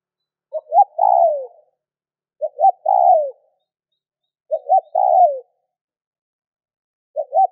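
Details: Spotted dove coo series meant to trigger calling in other doves: three full phrases of two short notes plus a long falling coo, a fourth starting at the end, about two seconds apart.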